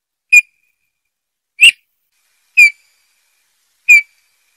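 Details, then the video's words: Eurasian bullfinch giving four short whistled notes near the same pitch, evenly spaced about a second apart, with faint upper harmonics, against a silent background. "chant de bouvreuils - song Pyrrhula - طائر الدغناش"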